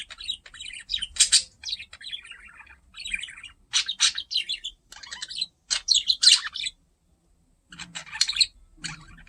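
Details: Indoor pet budgie, curious about a camera, chattering in loud grating warbles and sharp chirps, pausing briefly before a few final squawky notes.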